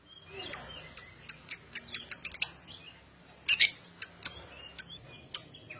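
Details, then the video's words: Lovebird chirping used to draw other lovebirds into ngekek song: piercing, high notes speeding into a quick run, a gap, then scattered sharp chirps. "Pancingan Love Bird Agar Cepat Ngekek"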